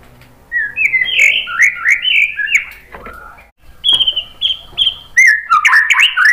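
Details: White-rumped shama song for provoking other birds to sing: rich slurred whistles rising and falling, three steady level high whistles, then a fast jumble of bright notes.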